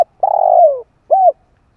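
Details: ['Spotted dove call used to stimulate decoys and train newly caught birds: a long pulsing coo that slides downward, then a brief rounded coo after a short gap.']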